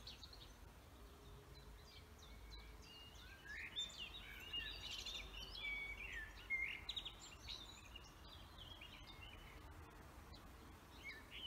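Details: Forest birdsong from several birds, chirps and short whistles crowding together, busiest in the middle section, over steady low background noise.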